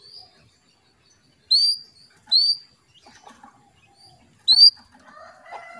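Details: Female canary calling to a male to bring him into breeding condition: three short, bright, high chirps with sharp upper overtones, spaced unevenly over several seconds, with faint lower tonal sounds near the end.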